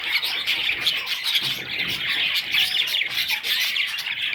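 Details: Young budgerigars chatter in a continuous wash of shrill, rasping chirps, many voices overlapping with no breaks.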